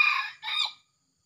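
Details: Wild red junglefowl that arrived with a young male during a lure-trapping outing; a short, harsh crow in two parts under one second, the second part rising then falling away, with nothing else audible.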